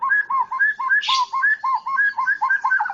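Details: Medan-type white-rumped shama repeating a clear two-part whistled phrase, a higher note answered by a lower one, in a steady rhythm, with a brief rushing burst near the first second.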